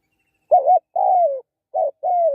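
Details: Spotted dove gives two quick coo pairs. Each has a wavering opener and a longer, smooth note that droops at the end.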